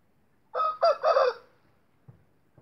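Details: Indio game rooster giving a short crow kept for breeding: one rough, hoarse crow of about one second in three bursts, the last longest, followed by quiet with faint thumps.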